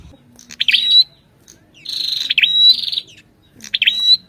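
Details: Song of an Ashy tailorbird, with the female's calls, in three rattling, buzzy phrases, each ending in a thin high whistle; a faint low hum lies underneath.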